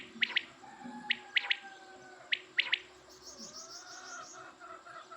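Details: Quail repeating crisp two- and three-note bursts, sharp and high-pitched, roughly once a second. Thinner whistled tones and a faint, high, buzzy trill from other birds sound in the background.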